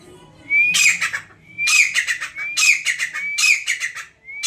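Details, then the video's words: Grey francolin (teetar, kamuju) giving its loud call: a thin rising whistle slides into a harsh, ringing burst of notes, the phrase repeated about once a second, five times in a row. "Grey francolin Bird // Kamuju"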